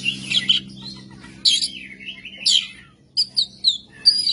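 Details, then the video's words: Caged oriental magpie-robin singing rough, coarse song material: bursts of harsh, scratchy notes alternating with quick whistled phrases, separated by short pauses, with a faint low hum underneath. "KACER MATERI KASAR KASAR NGEBYAK GACOR"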